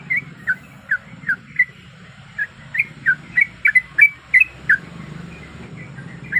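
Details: Sooty-headed bulbul, a breeding-condition female calling to a male, gives irregular bursts of short bright chirps separated by pauses, some notes clustered in quick pairs, over low background noise.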